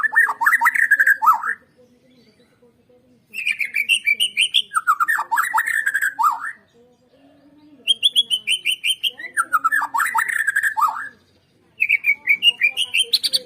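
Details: White-rumped shama song used as a lure for birds to sing: long energetic bursts of rapid, buzzy-edged trills and whistled notes, four phrases separated by short pauses.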